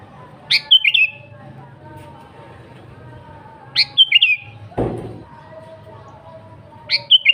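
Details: Sooty-headed bulbul in lively, vigorous song, unmixed with other birds' songs and used as a lure for wild bulbuls: a short bubbly phrase of three to four sharp chirps about every three seconds. Faint lower whistles and one dull thump sit in the background.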